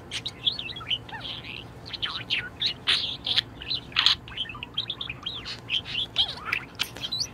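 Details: Happy pet budgerigar in top spirits, pouring out a lively warble of quick high chirps, short rising and falling whistles and rough chattering notes, almost without pause.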